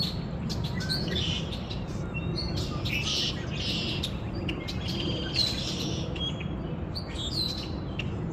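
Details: Birds chirping outdoors: short high tweets and thin twittering notes come in quick bursts, partly overlapping, above a constant low rushing background noise.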